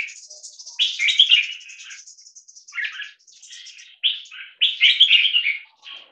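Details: Caged 1.5-year-old red-whiskered × stripe-throated bulbul crossbreed singing during a loudness test: loud bubbly whistled phrases, with a thin, high, continuous twittering from another bird running beneath them.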